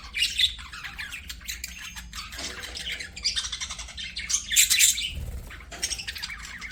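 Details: Several pet budgerigars singing and playing together, producing continuous scratchy, buzzy chatter mixed with sharp high chirps and squawks, rising to dense bursts and easing again.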